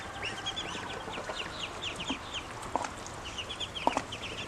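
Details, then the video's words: Hungry young ducklings, now grown, peeping in a busy series of short, high, downward-slurred notes, roughly one a second overlapping from several birds, with faint clicks and knocks behind. "Ducklings have grown and are making more sounds, especially when hungry"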